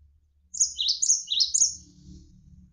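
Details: Javan sparrow giving three or four high, swooping chirps in close succession, each sliding down then up, followed by a low steady murmur of running water, from a tutor recording for training contest birds.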